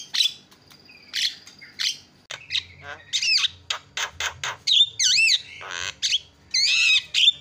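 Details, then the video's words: Javan myna, a loud, prolific singer, giving a varied song: harsh squawking bursts, rapid clicks and wavering whistled notes rising and falling, delivered in quick irregular phrases. "JUARA KICAU JALAK KEBO PALING KRREENN"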